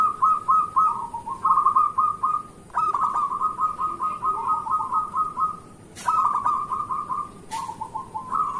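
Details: Morning song of a local zebra dove, played to lure lazy zebra doves into singing: repeated rolling coo phrases of quick staccato notes running almost without pause, broken by two sharp clicks.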